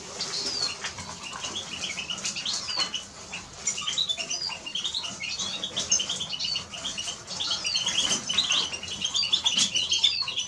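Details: Eurasian siskin singing a long, busy twitter of short high chirps and slurred notes, with a brief lull near three seconds and frequent clicking and fluttering sounds.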